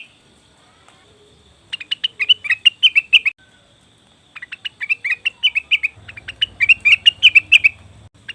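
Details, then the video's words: Leafbird known locally as cucak wilis or rengganis, played as a lure for wild birds: two bursts of quick, high, clipped chirps separated by a pause, with a faint low hum under the second burst. "pancingan burung cucak wilis/rengganis"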